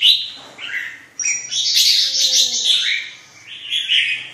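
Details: A red-whiskered bulbul pours out a rich, continuous warble. Chattering and whistled notes blend into a nearly unbroken stream, with a short dip in the middle.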